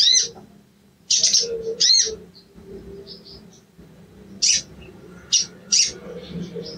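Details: 'Cuit cuit' calls of a sooty-headed bulbul, used to provoke a reluctant bird to sing: layered, ringing high chirps in pairs, soft twitters between them, and a steady low hum underneath.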